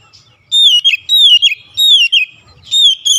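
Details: Oriental magpie-robin song for provoking a rival to sing: loud clear whistles that slide downward, repeated in four phrases, each with high overtones and quick flicked notes at the end.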